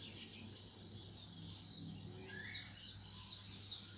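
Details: Greater green leafbird in a cage, recovering from moult and just starting to open up its song, giving a rapid run of thin, high scratchy notes with a lower rising whistle midway, against a faint background hum.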